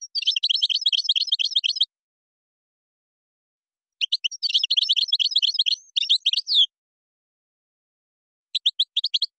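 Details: European goldfinch in Moroccan song style (gazrat, srrr bertbertiou): fast, even rattling trills of rapid chirps lasting about two seconds, a twisting buzzy flourish, then clipped repeated notes.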